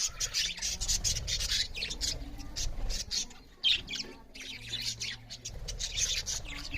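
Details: Several budgerigars chirp loudly while eating, giving bursts of high scratchy chirps and squawks in quick clusters with brief pauses, over low rustling and thumping.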